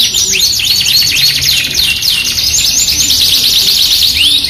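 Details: Caged Yorkshire canary in full song, used as a masteran tutor recording. High, rapid rolling trills and swooping chirps run without pause, with sharp rising and falling slurred notes.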